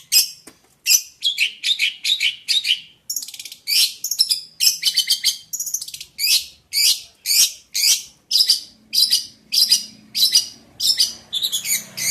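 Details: Jentet bird in song: a run of high, scratchy chirped bursts repeated roughly twice a second, dense and chattering, with a faint low hum entering near the end.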